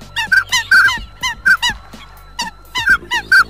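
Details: Eurasian coot giving loud, nasal, trumpeting honks, about a dozen short notes in quick irregular pairs and bursts, over a faint low hum.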